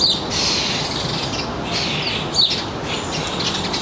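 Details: Birds at a suburban backyard feeder in northern New Jersey, recorded around 4 p.m. on 3 July 2022 among visiting sparrows, finches, starlings and jays: two short, high chirps about two seconds apart over a steady hiss.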